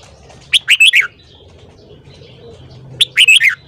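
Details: Two brisk phrases from a red-whiskered bulbul in morning song, each a tumbling run of four or five clear, warbling notes that drop in pitch at the end, separated by a short pause.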